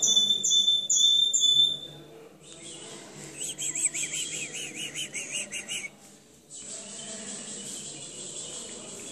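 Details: Timbrado canary song at a singing competition. Fast high rolls open the phrase, then a rippling, wavering trill climbs and falls in quick pulses. The song fades to a softer, steady high tone at the end.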